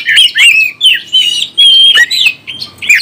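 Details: Oriental magpie-robin singing to excite and provoke other birds, with bright whistled notes, buzzy trills and quick chattering chirps run together in rapid bursts, briefly dropping away before resuming, clear and high.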